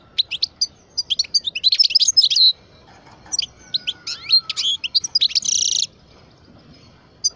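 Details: A 12-year-old European goldfinch of the parva type sings a fast, dense run of high twittering and tinkling notes, bursts of chatter broken by short pauses, with a buzzy rasping stretch near the end and a faint lower whistled line.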